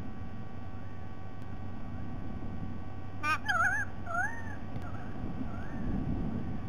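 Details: White-bellied sea eagle recorded on 07 12 2020, giving a brief cluster of wavering, slurred, honking notes midway, then fainter echoing notes, set against steady low-pitched rumbling noise throughout.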